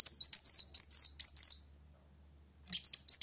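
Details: Sunbird singing vigorously to challenge a rival: bursts of thin, high, rapid twittering notes with quick upward flicks, a short pause, then the chatter resumes.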